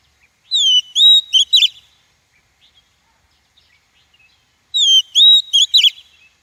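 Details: Female Oriental magpie-robin call meant to excite wild-caught males, coach their voices and trap them; two identical phrases about four seconds apart, each a drawn-out descending whistle followed by shorter whistles and rapid buzzy notes.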